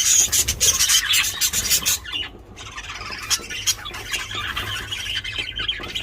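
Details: Mating budgerigars calling loudly: harsh squawks and rapid warbling chatter, very loud in the first two seconds, then a brief lull and continued busy high chatter.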